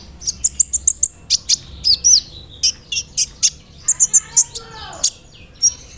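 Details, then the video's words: Sunbird, locally called kolibri ninja, giving a rolling song with imitated fill-ins, used to provoke birds to sing. Quick groups of shrill chirps and twittering notes with short gaps between them. "PANCINGAN SUARA BURUNG KOLIBRI NINJA (KONIN) ROLL NEMBAK, ISIAN JANGKRIK, CILILIN, GEREJA, CERR"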